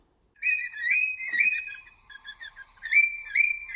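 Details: Bird singing indoors: clear whistled notes near one pitch, some held and some rapidly repeated, with short chattering trills between phrases and a brief gap in the middle.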